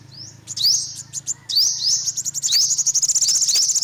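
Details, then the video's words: High-pitched calls of an olive-backed sunbird: rising thin sweeps and sharp ticks building into a rapid run of repeated high chips toward the end. "tiếng chim hút mật 5 màu bụng vàng"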